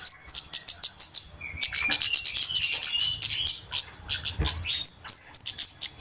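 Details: Flowerpeckers calling busily in a lure recording for trapping: clipped high ticks at a fast pace, a longer sustained run of buzzy chips, and sharp thin whistled upslurs toward the end.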